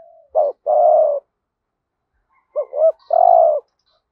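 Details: Decoy spotted dove cooing to attract wild doves, 'thúc gù' calling in 'hạp bổi' voice: a short coo and a long mellow croo, a pause, then two quick hooked coos ending in a drawn-out croo, otherwise quiet.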